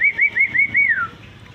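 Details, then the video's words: Clever common hill myna, described as greeting with Assalamualaikum, gives five quick upslurred whistles in rapid succession, the fifth drawn out and sliding downward, over a quiet background. "suara burung beo pintar menyapa Assalamualaikum"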